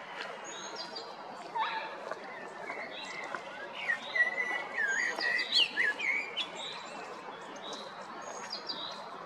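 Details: Male common blackbird in song at Jarun or Prečko in Zagreb, Croatia, April–May 2022; a loud rich warbling phrase of rising and falling whistles in the middle, surrounded by high chirps of other birds.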